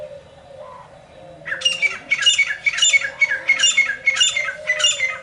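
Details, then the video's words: Francolin calling in the morning: a loud series of about seven harsh, grating, rhythmic notes delivered roughly every 0.6 seconds, following a quieter start with a steady low background hum. "सुबह सुबह तीतर की आवाज़ || Morning Time Frencolin Voices"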